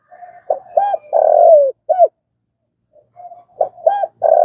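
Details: Spotted dove cooing, kept for call training: a four-note phrase of short hollow coos, a long wavering drawn-out coo sliding downward, then a closing coo, repeated after a quiet pause with softer low murmurs between.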